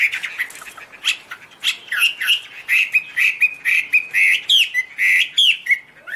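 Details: A Chinese hwamei sings continuously with loud, clear whistles. Each slurred phrase rises and falls, delivered almost rhythmically, and crisp chips are scattered between the phrases.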